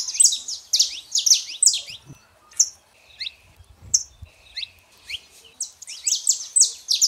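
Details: Male and female saffron finch singing to rouse a quiet canary: rapid high chirp bursts, then a few spaced single notes, then another fast chirping run.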